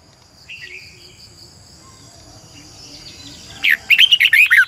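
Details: Red-whiskered bulbul used as a decoy to train other birds. A faint whistle opens, then quiet, then a loud burst of fast, twisting, warbled notes closes the recording.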